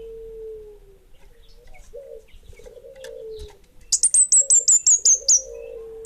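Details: Bunga api orange-headed thrush singing energetically: a crisp burst of about eight high, downslurred whistles after several low, soft cooing notes from another bird in the background.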